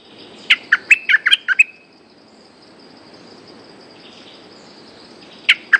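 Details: A resident, territorial bulbul answers a decoy cage just hung up with a quick burst of about seven bright, chirpy notes in just over a second, then two more after a pause, over a faint steady high hum.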